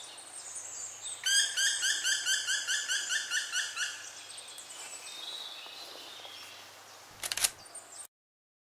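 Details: Hungry young black woodpecker, left behind by fledged siblings and no longer fed by its mother, gives a rapid series of about thirteen harsh, harmonic calls that fade out, with a brief sharp knock near the end.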